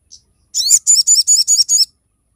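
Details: Training and lure recording of a crested jay: one short faint note, then a quick run of six sharp, high, twisting chirps in steady succession.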